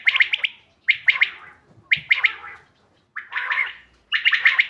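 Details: Bater, the common quail, recorded 5 June 2025 for use in hunting: crisp clipped notes bunched in short rapid triplets, with brief pauses between bursts and a rougher, buzzier phrase near the end.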